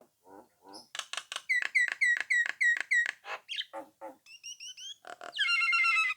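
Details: Nias hill myna singing persistently to provoke rival birds into answering and joining in; soft low notes, then a run of loud repeated whistled notes with sharp clicks, varied buzzy phrases and a harsh rasping burst at the end.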